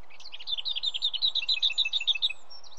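Lesser whitethroat singing a dry, even rattle of about fourteen quick notes on one high pitch, after a brief soft warble, over a steady low background hiss.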